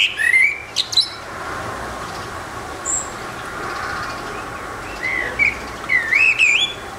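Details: A lone Eurasian blackbird on a rooftop sings short whistled phrases, one at the start and several near the end, each ending in high twittery notes, with a long quiet gap between them.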